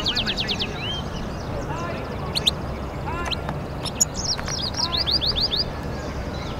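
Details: Mule hybrid of European goldfinch and canary, heard as scattered sharp upslurred chirps and short twitters through steady hissing background noise.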